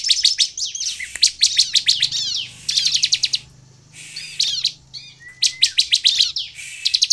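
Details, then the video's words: Ciblek, the Bar-winged Prinia, singing hard to draw other ciblek into song: rapid buzzy trills of evenly spaced clicky notes, a quiet gap around four seconds, then a thin rising whistle and renewed trilling. "SUARA CIBLEK GACOR INI AMPUH MEMANCING CIBLEK LAIN LANGSUNG BUNYI DAN GACOR"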